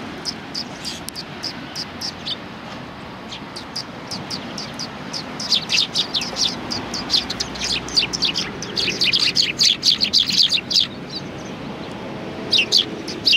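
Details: Sparrows resting on a bench at Tenmangu shrine, 30 January 2020: faint, sparse tweets early on build into busier, overlapping chirping in the second half, over steady outdoor background noise.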